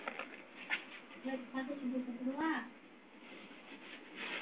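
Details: Indian ringneck parakeet talking, a short run of speech-like syllables with a wavering, nasal tone lasting about two seconds, followed by quieter indoor background.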